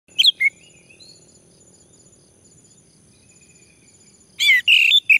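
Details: Male orange-headed thrush, prompted to sing: a rich whistled phrase opens, then near silence with a faint steady high hiss, and a loud burst of varied warbled notes returns near the end.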